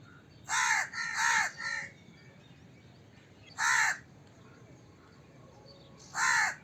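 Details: A crow gives a quick burst of three hoarse caws, then two more single caws spaced roughly two and a half seconds apart, against a low hiss.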